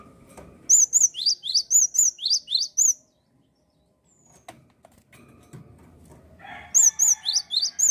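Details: A singing Java sparrow, used to rouse other birds into song, gives a rapid run of high chirps, arched and rising notes alternating. A pause with soft knocks follows, then a second burst over a low hum.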